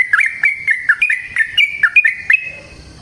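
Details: Trucukan, or yellow-vented bulbul, singing in the wild: a quick sequence of bright, slurred chirps, about eight notes in two and a half seconds, then fading into quiet rustling.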